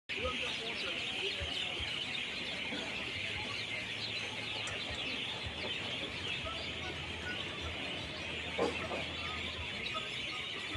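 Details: A dense, unbroken chorus of many birds chirping and chattering together at high pitch, daily between 6 and 7 pm, with a faint low hum underneath.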